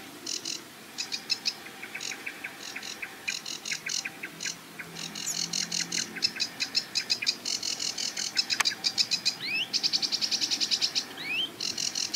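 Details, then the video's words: Sedge Warbler singing and warbling from a treetop by a marsh reedbed: a long, varied outpouring of rapid ticking chatter, sharp repeated notes and upward-sweeping whistles, building to fast trills. "SEDGE WARBLER Singing & Calling - Acrocephalus schoenobaenus"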